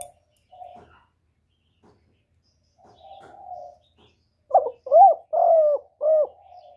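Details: Spotted dove call used for luring birds into traps: quiet low coos, then a loud run of four short, bell-like coo notes, each bending up then down, against a silent background.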